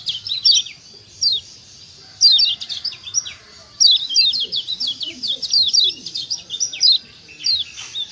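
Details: Lombok yellow white-eye, kecial kuning, a lure recording meant to stir idle birds into calling: sharp, high, down-slurred chirps in quick clusters, with faint low murmuring beneath.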